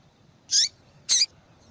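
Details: Calling female yellow-bellied seedeater, used to stimulate a reluctant male to sing: two bright, high, slightly buzzy chirps about half a second apart, each with a downslurred tail.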